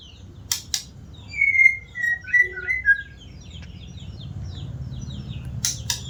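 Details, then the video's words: A white-rumped shama sings a short phrase of clear, slightly falling whistles over about two seconds. Fainter high chirps sit around the phrase, and sharp clicking noises mark the start and end. "Burung murai batu rajin bunyi"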